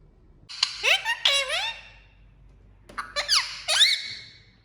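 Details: A green pet parakeet walking and talking gives two bursts of harmonic, squeaky chatter with sweeping rising and falling notes like mimicked speech, separated by a short pause.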